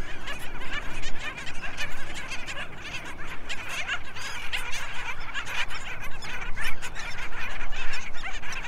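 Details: Nesting Black Skimmers at Nickerson Beach, New York, USA, where a parent feeds its chick of only a few days; dense rough, grating calls burst repeatedly throughout, over loud beach wind and wave rush.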